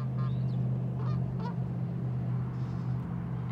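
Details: Seagulls calling at a store car park: three short, nasal, harmonic cries spaced about half a second apart, then quiet, over a loud, steady low engine-like hum.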